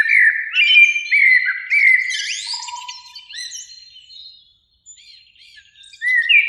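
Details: Springtime Eurasian blackbird song at evening in a beech tree beside a lake, two birds singing; a rich, low fluted warble opens, then a scratchy high flourish fades, and a new mellow phrase begins at the end.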